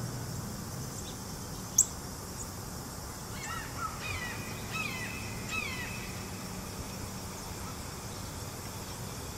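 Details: Red-shouldered hawk perched in a tall tree with a second hawk, calling extensively. It gives a series of clear, slurred, descending screams, several in quick succession over about three seconds, above steady low background rumble, with a sharp click early on.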